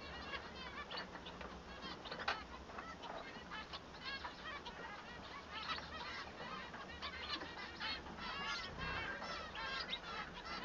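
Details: Singing male Bengalese finch delivers a dense, continuous stream of buzzy stacked notes and rapid chattering, fairly quiet, with a steady low hum underneath.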